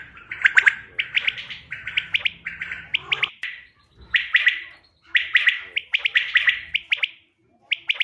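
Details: Common quail calls for hunting use, 5 June 2025: clustered sharp clicking pulses in quick phrases, separated by short pauses, with a faint low rumble in the first few seconds.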